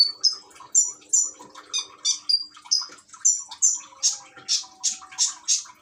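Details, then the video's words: Phone recording from Gresik, East Java, of a kept common iora singing to water-trickle therapy: clear high whistles give way to rasping buzzy bursts, evenly spaced, with gentle water sounds behind. "Burung konin rajin bunyi dengan terapi gemercik air"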